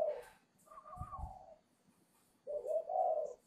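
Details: Spotted dove at the voice-breaking stage, kept at a dove farm in Ba Vì, Hanoi, Vietnam, due to leave for a buyer on 10 November; a soft drawn-out coo with a brief low thump, then a louder rolling double coo.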